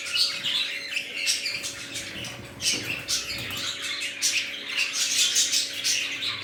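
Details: Newly housed budgerigar colony, some birds red-eyed, fills the air with lively high chirps, squeaky warbles and quick squawks, constant throughout, with light wing noise and a low hum.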